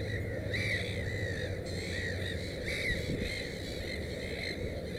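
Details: Harsh, slightly nasal arched cries are repeated several times by a black-headed gull at a nest with three chicks, with steady low rumble and hiss behind.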